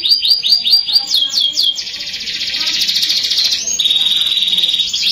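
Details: Canary singing in a lure recording meant to get young canaries singing quickly: a run of fast repeated falling whistled notes, then a dense rattling trill, ending in a long sustained whistled tone with a faint high buzz.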